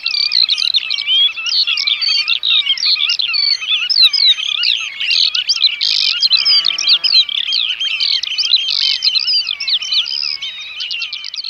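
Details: Eurasian oystercatcher in the Netherlands, a wader tied to its territory; dense, shrill piping calls pour out continuously, overlapping rapid high notes throughout, with a brief lower buzzy sound midway.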